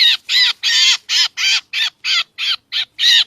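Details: Lure sound for catching black drongos: ten loud, grating notes in just over three seconds, some longer and some clipped short, harsh and buzzy throughout.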